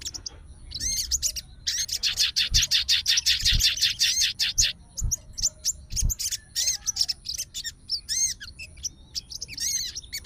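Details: Sooty-headed bulbul fighter bird, agitated and calling a rival, answering another bulbul's song: long fast bursts of harsh, buzzy chattering notes, about three per second, broken by short whistled upslurs, with soft low thumps underneath.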